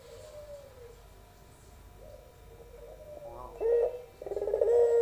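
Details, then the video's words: Young albino barbary dove in pelung style: faint distant coos at first, then a loud abrupt note and a long sustained low coo at the end. "puter pelung suara merdu"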